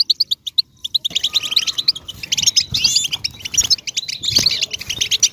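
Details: Goldfinch in nature opening with a few separate high chirps, then breaking into a rich, rapid warble of tinkling notes and liquid trills.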